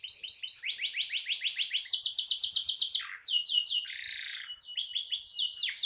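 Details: Canary in full song, kept as a tutor bird for training other songbirds: rapid trains of repeated descending notes, switching to buzzy rolled phrases and a lower trill near the end.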